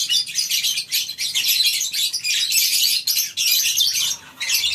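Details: A lovebird colony aviary on a breeding farm in the morning. Numerous birds give piercing, chattering squeaks in pulsing waves, and the chorus eases briefly after four seconds.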